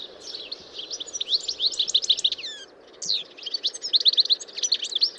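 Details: Rapid, liquid cascade of high tinkling notes from a European goldfinch, dense twittering phrases with a few downward-slurred whistles, a short break near three seconds, then more rapid chatter over a soft background hiss.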